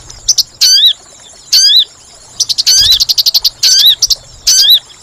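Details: Lure sound of the sooty-headed bulbul for trapping: loud slurred shrill notes alternate with a fast stuttering run of short chirps. A low hum is audible beneath.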